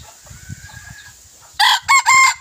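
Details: A young red junglefowl decoy cock, recorded 21 May 2023, gives a short, clipped crow in three loud, harsh bursts after a quiet stretch of low background rumble.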